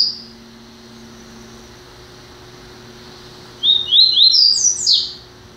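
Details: Double-collared seedeater, a new acquisition, gives a faint opening note, then after silence a burst of upward-stepping whistled notes ending in high sharp slurs, with background hum.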